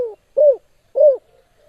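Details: Spotted dove calling, a strong call used for training or competing: two hollow, low, arched coos about half a second apart, following a shorter cut-off note at the start.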